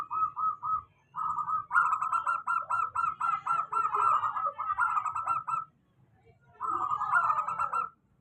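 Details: Local zebra dove song used as a lure to prompt doves that rarely sing, a steady recording. Short pulsed cooing bursts, quickly stuttered and rolling, come in rapid runs with a brief pause before a final run. A low hum sits underneath.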